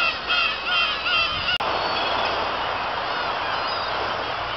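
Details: Black-tailed gulls at Kabushima on 2 August 2012, the day after fireworks, giving nasal, mewing calls: several clear cries at first, then a dense, continuous chorus of many birds calling together.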